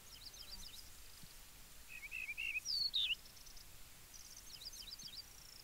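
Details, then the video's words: Yellow-breasted bunting giving one song phrase of a few low slurred whistles followed by two higher, sweeping whistled notes. Faint, high chirping from other birds comes before and after it, over steady background noise. "Как поет дубровник (Emberiza aureola)"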